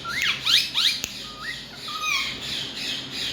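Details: Talking parrot uttering rapid harsh squawks and rising whistled notes in quick succession, with one sharp knock in the middle and continuous background hum.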